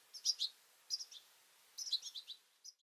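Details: Goldfinches jostling at a two-port feeder, juveniles included, produce three short clusters of high tinkling chirps, each a quick run of notes separated by brief pauses.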